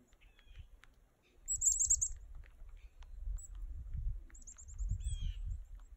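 A chickadee gives quick, very high chipping notes in two bursts, followed by short, lower, slightly buzzy notes, over a steady low rumble of wind.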